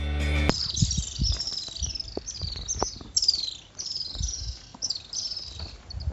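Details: A Little Swift in Sri Lanka, possibly at Colombo Port City, gives shrill, high twittering trills in quick overlapping bursts, with a brief musical tone at the start and low rumbling noise beneath.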